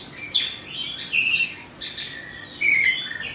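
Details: Caged Indonesian Oriental magpie-robin, described as two-season, gives varied warbling phrases of high whistles and buzzy slurred notes, a loud bright phrase closing the passage.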